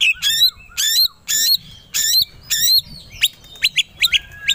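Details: White-rumped shama provoked to sing aggressively, ready to fight: loud harsh squawk-like notes with stacked overtones repeated roughly twice a second, then quicker sharp whistled chips toward the end.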